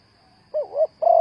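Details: Spotted dove call used as a lure for trapping: two soft, mid-pitched cooing notes, the first rising and falling, the second a steady held coo, on a quiet background.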